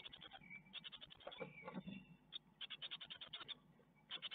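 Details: Great tit nestlings in a nest in Ostwald, filmed by nest webcam on 12 May 2021 while being fed a spider; rapid bursts of high, scratchy begging notes in quick series, pausing briefly, with a thin whistled note and soft rustling beneath.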